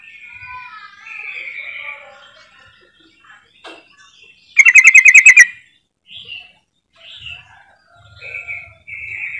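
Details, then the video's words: Trucukan calling meant to prompt other trucukan to sing: soft rising and falling whistled phrases, then a loud rapid stuttering burst around 5 seconds, followed by short whistled notes. "pancingan trucukan ini benar AMPUH bikin trucuk macet langsung auto gacor"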